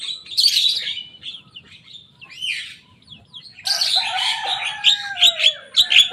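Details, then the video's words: Mimicking rivals, a young Javan myna gives loud raspy bursts, a sweeping squeal, then a dense scratchy run over a long falling whistle, ending in sharp chips. "Jalak kebo muda gacor bongkar suara lawan."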